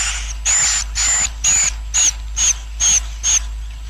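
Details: Swiftlet colony roosting sound for luring swiftlets so the colony expands fast: a steady series of eight hissing, buzzy bursts, each carrying a high whistled tone, spaced about every half second.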